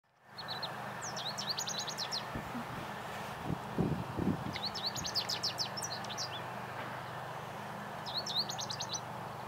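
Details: An American goldfinch gives its spring song in Coquitlam, B.C., on 18 April 2014: three bursts of quick, high, twittering notes a few seconds apart, over wind noise, a steady low hum and a few dull thumps.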